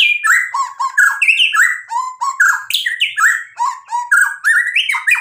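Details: Energetic 'full isian' song of a white-rumped shama: a nonstop medley of rich whistled phrases, sharp chips and sweeping slurs that jump between low and high pitches in rapid succession.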